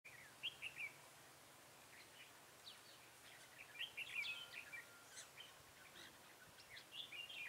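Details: Red-whiskered bulbul recorded during bulbul trapping on 23 October 2017; short warbled, chirpy phrases rising and falling, given in a few bursts with pauses between, over a quiet outdoor background.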